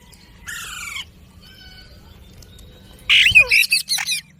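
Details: Pet ring-necked parakeet giving a short buzzy squawk, a long quiet pause with faint background hum, then a loud run of harsh, clipped squawking notes near the end.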